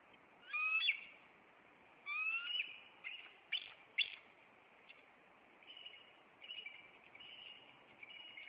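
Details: Bald eagles of a nesting pair in Maine on April 26, reacting to an intruder as the male flies at it and lands on a branch. High, thin whistled notes rise sharply, then a few short piping chirps and softer trailing calls.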